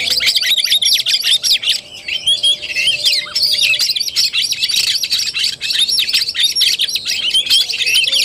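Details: Oriental magpie-robin in fighting-style (tarung) song, 17 August 2021: dense, nonstop run of rapid high whistles, chirps and buzzy trills, swooping up and down, with brief dips at times and a faint low steady tone underneath.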